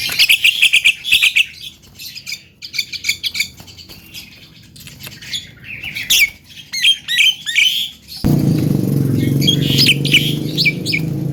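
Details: Chattering pet Javan myna that can mimic speech pours out dense buzzy chirps and squeaks in quick bursts, then a sudden loud low background rumble takes over in the final seconds.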